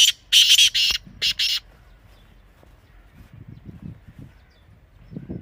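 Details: Partridge, black or native kind, kept bird: a rapid string of five harsh, rasping bursts packed into under two seconds at the start, followed by quiet with low background murmur.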